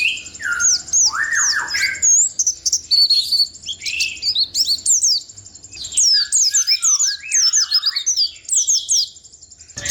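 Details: Rolling ngalas ngerol song of a white-eye, packed bursts of high twittering and quick slurred chirps with a few lower sweeping notes early on, continuing almost without break for ten seconds.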